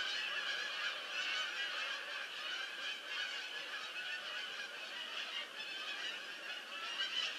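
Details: Many geese landing, a dense flock chorus of overlapping nasal honks forming a continuous clamour with rhythmic pulses, no single call standing out.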